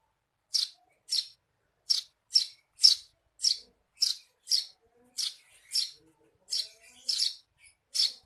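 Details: Eurasian tree sparrow giving 'receh' chirps meant for tutoring songbirds: a steady run of about fourteen sharp, high chirps, some doubled, roughly two per second, in a quiet setting.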